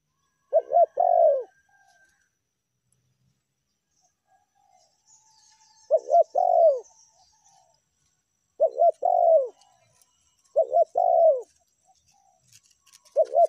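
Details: Spotted dove (tekukur) lure recording in the meratus and melambung styles. Five short husky coo phrases come at irregular gaps of roughly two to five seconds. Each has quick stacked notes and a falling tail. Faint high rustling is heard.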